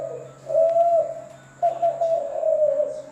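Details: Zebra dove giving smooth, sustained low coos in two drawn-out phrases separated by a short pause, the second slightly wavering and falling, with a faint steady hum underneath.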